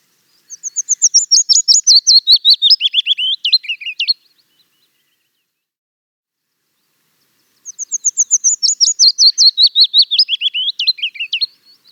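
Willow Warbler singing two sweet phrases about four seconds long, each a quick run of clear notes sliding down the scale and ending in a soft flourish.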